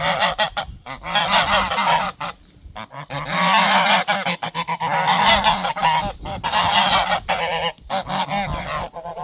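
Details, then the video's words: Garden geese protecting their territory raise a loud alarm: a crowded, continuous chorus of harsh honking with breathy, hissing texture, broken by a few brief pauses. "Goose Alarm - Hissing Sounds in the Garden"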